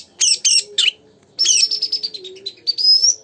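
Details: Lure song of a lively oriental magpie-robin to rouse another bird: three loud buzzy chirps, a pause, then a rapid trilled stutter ending in a clear, rising, sustained whistle, with faint low hum.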